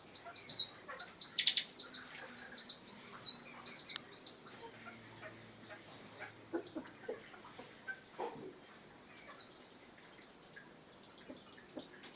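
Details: Bar-winged prinia in 'gacor ngebren' style: a dense run of very high rapid downslurred notes for several seconds, then quieter sparse high chips.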